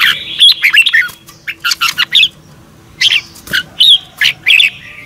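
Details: A Red-whiskered bulbul sings its morning training song in the double-twisting style. Scratchy, squawky notes mix with bright warbled phrases, in bursts separated by a quiet gap of about a second.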